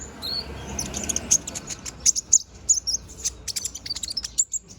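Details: Moulting young brown-throated sunbird, bald and growing feathers, sings a busy string of bright, very high chirps and short rising notes, closely spaced and irregular.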